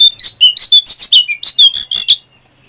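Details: Brown prinia delivering a rapid chattering song meant as tutor material for keepers: around fifteen loud, bright, staccato notes in quick succession, varying in pitch and ending sharply after two seconds, with a quiet background.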